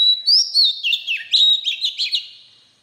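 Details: White-rumped shama song meant for training young birds: a rapid, continuous phrase of about ten clear whistled notes, gliding and dipping, some with sharp high flicks, then fading.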